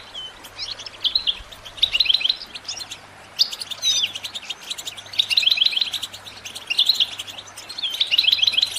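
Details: Caged European goldfinch song used to encourage other birds to sing: short bursts of tinkling, buzzy trilled phrases repeated about every second and a half, with a steady low hum behind.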